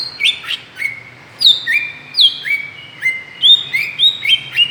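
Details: Greater green leafbird call used as a lure to provoke other birds: clear whistled notes that slide down from high to lower pitch and then hold level, repeated in sequence with short gaps, with faint higher overtones.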